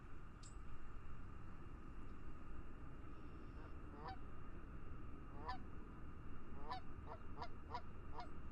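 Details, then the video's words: Geese calling in fog over a lake give scattered nasal honks, several short upward-sweeping calls in quick succession near the end, over a steady low rumble of wind or distant water. "Geese Calling in the Fog"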